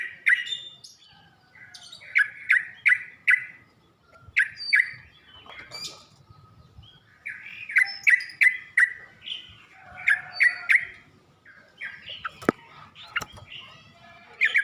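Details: Training recording of yellow-vented bulbul (trucuk) song for birds learning to sing: phrases of rapid bubbling, warbled notes repeated in runs, separated by short pauses, with scattered sharp clicks.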